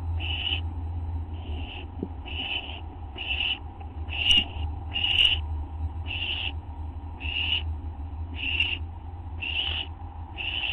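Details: Hungry barn owl owlets, three young in the brood, begging during an early-morning feeding on August 15, 2011; steady series of eleven raspy hisses a little under a second apart, a few sharper clicks mixed in, low hum beneath.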